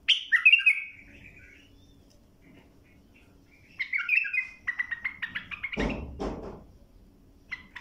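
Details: Bulbul song used to teach young birds: a fluty warbled phrase opens, then after a pause a longer run of rapid chirpy notes follows, broken by a loud low knock or rustle midway.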